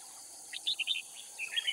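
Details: Decoy red-whiskered bulbul from Cao Phong at a trapping site in Kim Boi, Hoa Binh, Vietnam, giving two short bursts of chirpy, warbling whistled notes separated by a brief pause, with a constant high insect drone behind.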